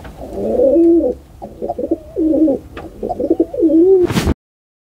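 A pigeon gives soft, low, throaty cooing phrases, rolling and bubbling, repeated over about four seconds before a sharp click ends it.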